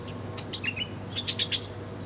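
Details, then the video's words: Feeding birds chirping: quick high chirps early on, then a louder burst of four sharp chirps about a tenth of a second apart, with a steady low hum beneath. "Bird chirping sounds relaxing"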